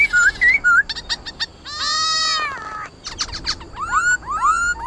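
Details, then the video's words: White-cheeked laughingthrush in loud, varied wild-type song, used to train young birds: clear whistles that rise and slide, rich harmonic phrases and quick chattering bursts, delivered in close succession. "Khướu Hót giọng rừng DÌU BỔI YẾU LỬA HÓT,luyện khướu bổi hót nhanh căng lửa khuou, khuou bac"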